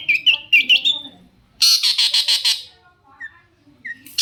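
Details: Lively long-tailed shrike song used to prompt other shrikes to respond, with quick whistled slurs, then a loud burst of harsh pulsed rasping, and a couple of brief sliding whistles near the end.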